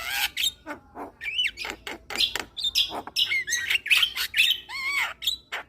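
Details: Javan myna, a caged bird, played as therapy for stressed mynas that have stopped singing; busy chattering song of harsh broadband bursts mixed with rising and falling whistled notes, fairly fast and irregular.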